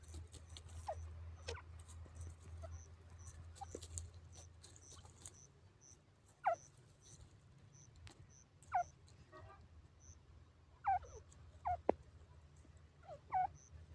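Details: A francolin gives short, harsh, pheasant-like squawks, likened to a cockatiel's call, each dropping sharply in pitch and repeated at uneven intervals.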